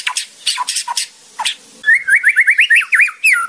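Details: Murai batu, the white-rumped shama, singing a training recording: harsh rasping chips at intervals, then a quick chain of looping whistled notes rising and falling.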